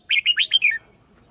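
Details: Single brisk phrase from a red-whiskered bulbul decoy singer: five bubbly, upslurred whistles in under a second, the last one falling lower, with clean quiet background.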